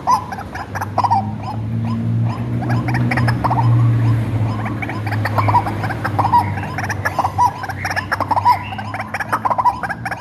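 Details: White-breasted waterhen, hand-reared from a young age, calling as a lure: a busy run of harsh, clustered croaking notes that quickens and grows more strident toward the end, over a steady low hum.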